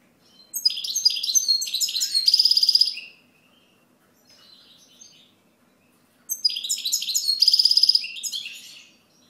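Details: European goldfinch song: two loud bursts of rapid, twittering high notes with tinkling trills and a buzzy rattle, separated by a few seconds of quiet with faint soft twitters between.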